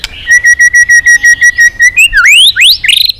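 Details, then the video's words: Intense fighting song of a white-rumped shama, used to rouse weak birds to sing: rapid string of identical clear whistled notes, then quick rising swoops and bright upslurred whistles. "chòe lửa hót cực căng kích chim yếu lửa hót ,kích chim hót đấu, luyện giọng chòe lửa hót"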